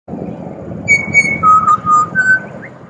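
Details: Pied butcherbird singing in Australia: a sequence of pure, flute-like whistled notes, a higher sustained note followed by lower level whistles and a brief rising upslur, over a low steady background rumble.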